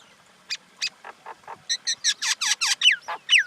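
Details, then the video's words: Common myna calling: spaced gurgling notes grow into a fast run of loud, harsh, buzzy notes, ending with sharp downward-sweeping whistles. "Common Indian Myna sound"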